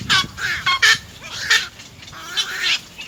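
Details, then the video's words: Three little egret chicks at the nest begging their mother for food and biting at her: harsh, raspy, irregular squawks and chattering bursts about once or twice a second, with rustling. "Three baby birds bite their mother to feed"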